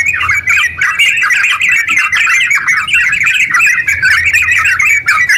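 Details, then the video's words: Long, fast continuous yellow-vented bulbul song meant to stimulate silent bulbuls to sing: a busy stream of chattering, bubbling notes rising and falling with no breaks, sharp high twitters scattered above. "TERUCk gacor ropel panjang buat pancingan terucu biar bunyi"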